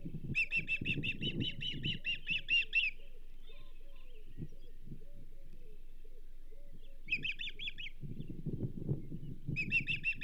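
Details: Osprey at the Charlo nest, banded female, 27 April 2024, as a whole whitefish is delivered. Rapid runs of high, sharp chirps in a quick burst, then two shorter bursts later, over low rumbling wind and nest noise.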